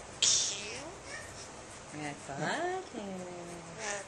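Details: Male myna Rhett Butler, hand-raised from hatching, began talking soon after its eyes opened and sounds like its trainer. It imitates human speech: a harsh opening squawk, then wavering, voice-like phrases with rising and falling tones.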